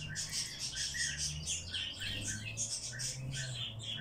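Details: Hand-reared bird chick begging during feeding, a fast, constant stream of shrill cheeps and squeaks, with a steady low hum underneath.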